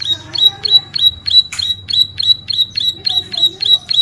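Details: Bar-winged prinia, known locally as ciblek sawah, singing hard for tutoring and luring: repeated high, sharp chip notes about three per second over a low background rumble, with one broad noisy click midway.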